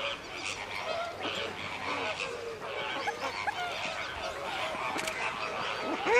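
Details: A flock of Radjah shelducks at WWT Slimbridge calls in a dense, overlapping chorus of harsh, honking and rattling notes, with short rising and falling squeals throughout.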